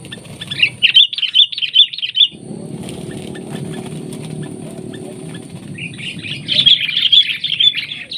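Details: Sooty-headed bulbul, a wild bird facing a decoy bulbul in the field, gives two bursts of quick, chattering, warbled chirps, one at the start and one at the end, with a low engine-like drone in between.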